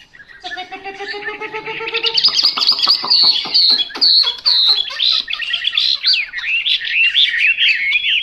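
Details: Chinese hwamei song beginning with a quiet steady tonal hum, then a series of sharp clicks leading into loud, clear whistled notes and rapid warbled phrases that carry to the end.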